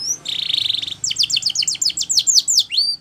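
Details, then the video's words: Spanish Timbrado canary song for training: a short high note, a steady buzzy roll lasting under a second, then a fast series of sharp swept notes ending in a rising whistle. "Canary's Most Powerful Song For Training"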